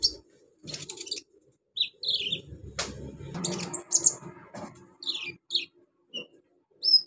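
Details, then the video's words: Captive sunbird singing a song filled with imitations of cililin, crickets, golden grasshoppers and chicks: high thin whistled notes, falling slurs and buzzy bursts in short, broken phrases, with low rustling and knocking noises in the background. "KONIN BANYAK ISIAN CILILIN, JANGKRIK, BELALANG EMAS, ANAK AYAM"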